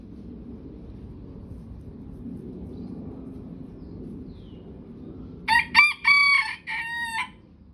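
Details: Bantam chickens crowing back and forth: after a long stretch of quiet low hum, a sudden loud rooster crow of several harmonic, broken syllables fills the final two seconds.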